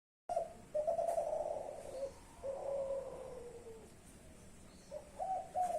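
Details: Young spotted dove of the Klantan type, from a champion line, cooing: a short rising note, then long wavering hoots that slide slowly downward, and a final pair of brief coos after a pause.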